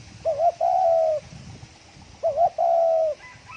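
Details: Fast 'thổ còi' style cooing of a spotted dove meant to excite other doves: two identical phrases, each a quick wobbling double note leading into a long, smooth, slightly falling coo, clear over quiet background.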